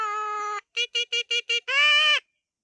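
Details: A village common myna imitating speech: one long nasal, voice-like tone, then five quick clipped syllables and a final drawn-out vowel, all rich and harmonic.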